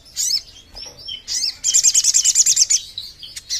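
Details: Crimson sunbird lure recording: squeaky high chirps and a short slurred phrase, then a long fast run of about fourteen sharp, high-pitched pulsed notes.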